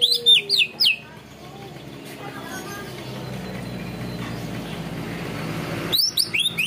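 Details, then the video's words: Greater green leafbird, 'ngunci kenari' song material: a quick run of loud upslurred whistles opens and closes the passage, with a long stretch of broad rumbling background noise in between. "cucak ijo materi ngunci kenari"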